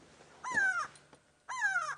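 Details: On a safari drive on 27 June 2016, an upset Grey go-away-bird gives two loud, nasal, drawn-out alarm screams, each about half a second long and sliding down like "go-waaay"; the species alarm-calls on seeing predators.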